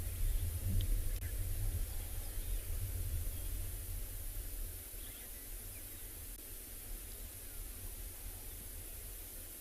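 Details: Quiet hiss and low rumble during a morning safari in South Africa, with no clear animal calls.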